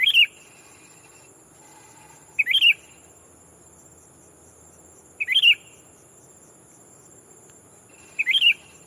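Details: A lure sooty-headed bulbul calls to challenge a rival and attract wild bulbuls: four brief, bubbling, slurred phrases spaced about two and a half to three seconds apart, all alike, with a thin steady high whine behind.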